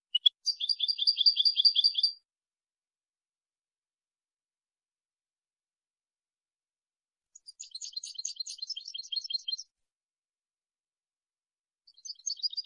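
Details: European goldfinch song recorded for training young birds, heard as rapid tinkling, twittering high phrases of about two seconds, separated by long silences, with a third phrase beginning at the end.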